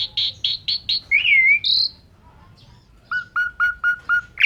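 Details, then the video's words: Asian pied starling in full song rich with imitations, used as training audio for other birds; a series of loud chirps, a rising whistle, a pause, then evenly repeated clear notes. "Suara Burung Jalak Suren Gacor Pancingan Full Isian"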